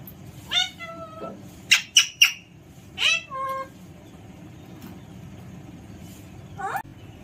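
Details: Alexandrine parakeet producing a series of short, harsh squawks, some with flat drawn-out lower tones, clustered in the first three seconds, then near silence broken by one final rasping call; faint hum in the background.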